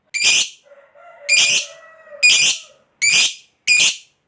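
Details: Caged lovebird of the fighter type uttering five sharp, shrill screeching chirps in quick succession with short gaps, plus a faint steady tonal hum in the background.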